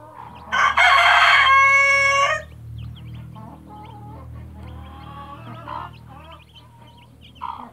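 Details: Mother hen with her chicks: a loud harsh harmonic squawk lasting over a second opens, followed by quieter drawn-out clucks and soft chick peeps, with a low steady hum underneath.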